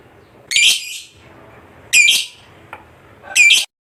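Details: Contest fighter lovebird producing three loud, raspy screeches about one and a half seconds apart, with a faint click between them.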